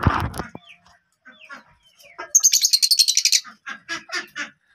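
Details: Pet lovebirds kept indoors near a handmade swing, one with an eye infection; a person speaks briefly at the start, then rapid high, buzzy chirps burst in a dense run lasting about a second before scattered sharper tweets.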